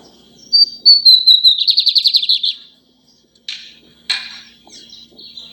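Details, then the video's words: Lined seedeater singing a lot: a sustained high whistle gliding down into a quick rattling trill of about a dozen pulses, followed by two sharp noisy bursts and softer notes. "bigodinho cantando muito"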